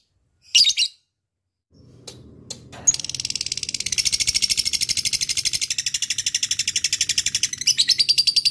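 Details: Lovebird giving a long ngekek chatter, used as a lure to call a rival: a few brief squeaks, then a sustained rapid grating trill lasting over five seconds.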